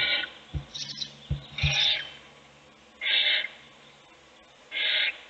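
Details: Owl nest box at feeding time, the adult female feeding a chick: soft knocks and shuffling thumps, then two loud hissing screeches a little under two seconds apart.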